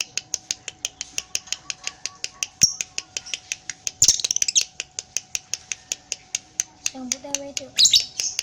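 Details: Lovebird performing an extended ngekek, a long unbroken series of rapid, sharp high ticks at a steady pace, with brief harsher bursts and a few lower notes mixed in.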